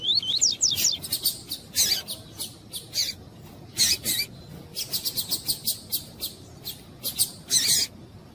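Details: A caged double-collared seedeater with a female calling to warm up the male. High, sharp chips repeat in quick bursts over a steady hiss, opening with a few rising whistled notes.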